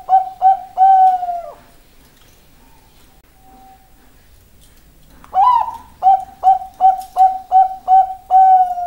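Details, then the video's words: Zebra dove of the Bangkok type cooing: three short low notes and a drawn-out one, a quiet gap, then a rolling burst and a run of about eight short mellow coos at a steady quick pace. "perkutut bangkok suara tergoda"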